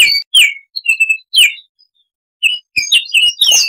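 Baltimore oriole singing short phrases of clear, slurred whistles, with brief pauses and a quicker, chattery burst of notes toward the end.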